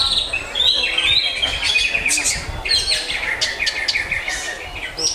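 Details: Greater green leafbird singing a lively run of high whistles, sharp chips and rapid trills, with little background noise.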